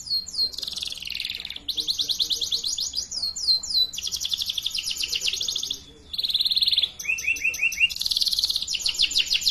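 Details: Lure song of a canary for juvenile birds learning their song, alternating fast trills, buzzy bursts and slurred whistles, with a short pause midway.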